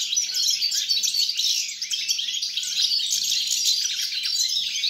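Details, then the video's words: Goldfinch singing, recorded 29 December 2022. Rapid, tumbling twitters and sharp chirps flow without a break, with a faint low hum underneath throughout. "GOLDFINCH SONG"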